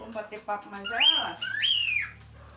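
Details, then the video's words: Cockatiel chatter: after a few words of human speech, two loud upslurred whistles follow close together, each swelling then dropping away. "as calopsita fazendo barulho"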